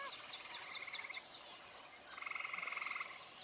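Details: In June, at a marsh, a Common Gallinule gives a run of sharp, descending squeaky notes, then a fast, even chattering series lasting about a second.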